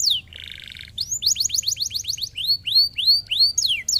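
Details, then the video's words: A buzzy rattle opens the canary's stimulating song, followed by quick high chirps and then evenly spaced rising and falling whistles. "lindo canário! estimular muito rapidamente o som de canários preguiçosos"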